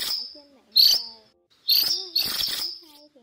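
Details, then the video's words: A cuckooshrike, called to its flock, gives loud, harsh, high ringing notes in three bursts over about three seconds, with softer lower whistled tones between them. "Tiếng Chim Phường Chèo Trắng Lớn , Chim Chèo Bẻo Trắng Đầu Đen Gọi Bầy"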